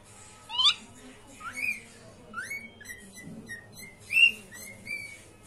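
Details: Pet cockatiels at play give rising whistled calls, several upslurred notes spaced about a second apart, with faint chatter underneath.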